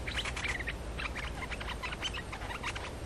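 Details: Lure song of a streak-eared bulbul, played to attract other bulbuls. A lively run of quick chirps and short whistled notes with scattered sharper accents, against a constant low rumble.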